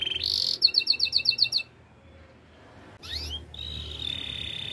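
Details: Canary singing for training: a buzzy note and a rhythmic series of about seven pulsed chirps, a short silence, then a rising whistled sweep into a sustained buzzy roll.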